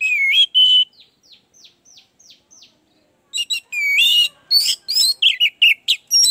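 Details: Song of an orange-headed thrush, played to coax a bird that is lazy to sing. Loud whistled phrases, then a series of soft descending ticks, then a burst of rich varied warbling.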